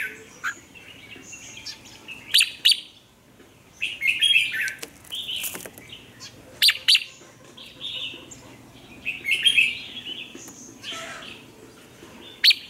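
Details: Red-whiskered bulbul kept as a caged lure singer in Vietnam to coax wild birds and drill captive ones: lively, repeated whistled and warbled phrases every second or two throughout, punctuated by sharp clicks, over faint background hiss.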